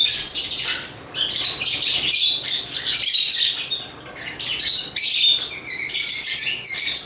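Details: Agapornis chattering, a busy mix of scratchy squawks and thin whistled notes, loud and high, with a brief lull before a fresh burst.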